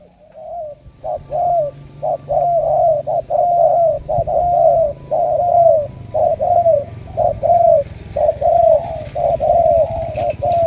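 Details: Sustained cooing from a spotted dove picked for heavy cooing, a wild-caught bird going to Hải Dương, Vietnam: a long run of low, hollow coos, short and longer notes alternating about once a second.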